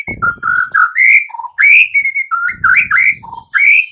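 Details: White-rumped shama song for the morning, intended to coax silent birds into answering: fluid whistled phrases alternating low and higher notes, in short connected bursts with some background rustling.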